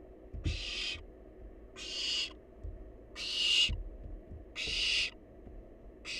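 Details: Wild barn owl nestling eating leftovers: a steady series of five raspy hissing calls, roughly one every second and a half, with faint bumping noises from the nest.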